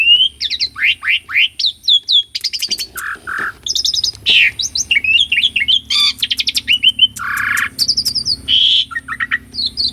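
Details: Asian pied starling in full song, filmed on a Sony A6400 as a lure for stuck birds: rapid series of whistled downslurs, buzzy trills, harsh rasping blocks and clipped high notes, continuous for the whole stretch.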